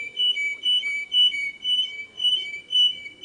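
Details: Canary tutor song for young birds: slow, paired whistled notes repeated about twice a second, each a clear tone dropping slightly in pitch, in an even, bell-like rhythm.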